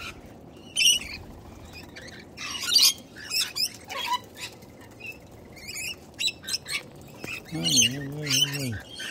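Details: Youngster cockatoo demanding its next mouthful of seeds utters sparse, harsh rasping squawks in scattered bursts; a person speaks briefly toward the end.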